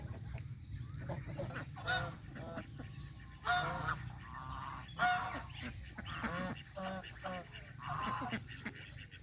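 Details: Countryside farm geese feeding on fresh grass near a pond give a series of irregular nasal honks, several loud ones spaced about one to two seconds apart, over low background rumble.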